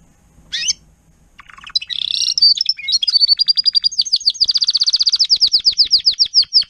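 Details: Timbrado canary used as a tutor to teach young birds their song, 2021: a brief high note, rattling buzzy passages, then a long, fast, even trill of repeated sharp notes accelerating over several seconds.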